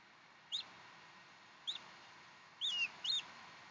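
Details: Bald eagles at the Decorah nest on 15 April 2012 around 6:00 in the evening, during a feeding of fresh duck; four short high chirped calls, the later ones drawn into brief downward slurs, over steady low background hiss.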